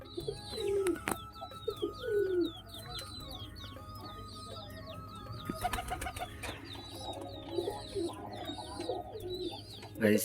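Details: Pigeons coo in low, rolling phrases, two clear ones early and more later. Many quick high chirps from smaller birds run throughout, with clicks and a low hum.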